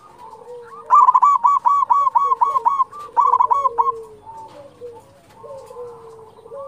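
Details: Local zebra dove singing vigorously, a song used as a lure to prompt other doves to sing: two rapid bursts of about eight to nine staccato, ringing coo notes, with softer, lower cooing from other doves behind.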